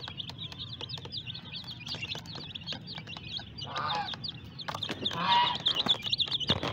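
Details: Colourful baby chicks in a group, peeping constantly: a dense chorus of short, high, slightly rising cheeps overlapping many times a second, with a couple of lower, rougher bursts near the middle and end and a steady low hum behind.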